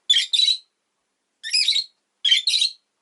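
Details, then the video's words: Rosy-faced lovebird kept as a pet, calling in three paired bursts of shrill, rasping chirps, each pair about half a second long, separated by silence. "Lovebird Chirping Sounds"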